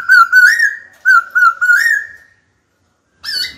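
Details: Caged black-throated laughingthrush being trained to sing, calling a rival to fight: loud, clear whistled phrases of slurred, wavering notes in two bursts, then a short pause and a fresh upslurred whistle at the end.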